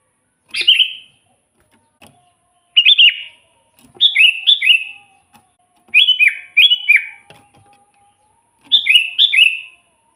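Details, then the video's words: Sooty-headed bulbul singing to lure wild bulbuls for trapping; a series of chirpy, bubbling phrases of two or three slurred notes each, given roughly every one to two seconds, in quiet surroundings. "suara burung kutilang gacor full buat pancingan kutilang pikat"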